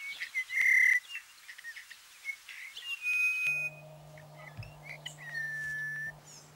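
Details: Red crossbill, a rare or passage bird in Corrèze, France, gives a few short, sharp whistled call notes spaced irregularly, with a low steady hum under the second half.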